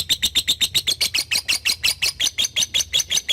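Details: Loud, harsh lovebird chattering of the ngekek style. Rough high notes pulse about five times a second and are evenly spaced throughout. A training recording for young birds.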